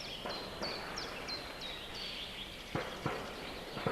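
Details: Osprey at a nest in Võrumaa, South Estonia, 2021, near a river and fish farm: a run of short, high, downslurred whistled notes about three per second, then several dull knocks and thumps at the nest.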